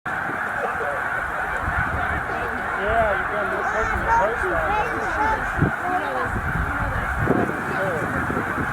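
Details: Snow geese, a migrating flock of about 100,000 stopping at Middle Creek wildlife refuge on the way north to breeding grounds, produce a dense, unbroken chorus of overlapping nasal honks, with many short arching calls layered over a steady roar.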